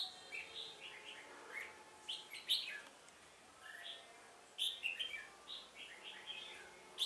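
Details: Trapping decoy red-whiskered bulbul on 1 October 2018, singing to provoke wild rivals: several separate bursts of rich, slurred chirping notes, each burst lasting about a second, with quiet gaps between.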